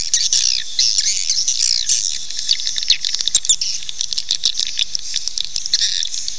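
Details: Swiftlet calling sound for attracting birds to nest: a rush of rapid high twitters and sweeping chirps at the start, then scattered sharp ticking clicks and softer chatter.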